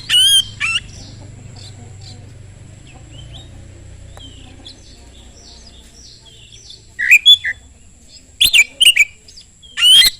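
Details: Oriental magpie-robin singing to provoke other magpie-robins; loud whistled bursts at start and end, softer distant chirping notes and low background hum in the long middle stretch.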